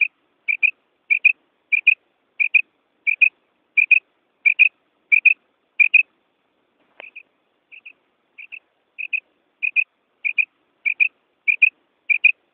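A female common quail gives sharp, high paired notes, repeated about every two-thirds of a second, briefly softer midway, against silence.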